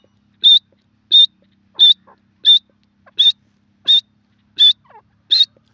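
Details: Grey francolin, known locally as teetar, calling: eight short, high, whistled notes with a slight upward kink, given in a steady series about every 0.7 seconds against a quiet background.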